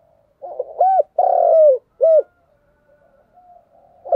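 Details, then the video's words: Continuous cooing of a spotted dove, local style 'thúc gù': one phrase of quick low notes, a hooting coo, a long sliding coo and a short final coo, then a faint murmur and a new phrase starting. "cu gáy thúc gù/ Cu gu lien tuc"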